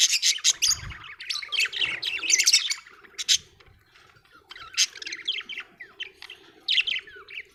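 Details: Budgerigar, an Australian bird, in busy, fast chatter of high chirps and squeaks, dipping to a quieter stretch before resuming with bright twittering phrases; a faint low hum sits beneath.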